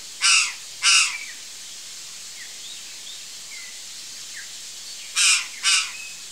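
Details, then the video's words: Curl-crested Jay (Cyanocorax cristatellus), in a backyard with fruit, giving harsh, loud caws in pairs, two near the start and two more after a pause, with faint high chirps from other birds between. "GRALHA-DO-CAMPO (CYANOCORAX CRISTATELLUS), CURL-CRESTED JAY, Gralha-do-cerrado"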